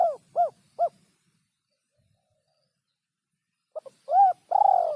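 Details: Tekukur (spotted dove) call used as a trapping lure: short, low cooing notes in a quick group of three, a long pause, then a rising stutter into longer mellow coos.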